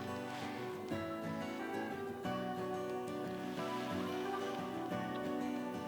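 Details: Plucked acoustic guitar music plays throughout, with no animal sounds.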